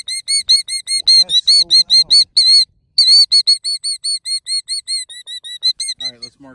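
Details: Female killdeer in a pasture pretending to have a broken wing to lead people from her nest repeats loud, high, whistled notes in a quick series, with brief human voices in the background at the start and end.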